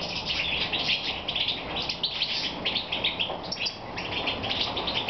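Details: Moulting European goldfinch singing on an evening of 22 May 2014 in Romania: dense run of tinkling, twittered notes with quick chirps, delivered without pause over steady low noise.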